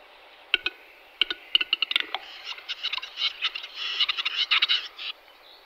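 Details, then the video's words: Western capercaillie from the Czech Republic: sharp, dry clicks, widely spaced at first, then quickening into a dense run of scraping, knocking pulses before it stops abruptly. "tetřev hlušec"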